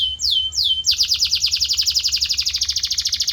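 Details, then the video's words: Canary training song meant to stimulate a pet canary to sing: two long downward-sweeping whistles, then a rapid, even, high rolling trill of many identical notes to the end. "Special Audio to Shape Your Canary's Voice Character"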